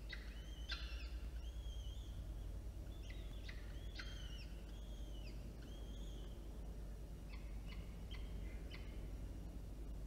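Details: Two peregrine falcon nestlings, older and younger, being fed by their mother in Orange, NSW, 9 October 2022, utter clustered high, bending squeals and brief chips, some overlapping, above a low rumbling background.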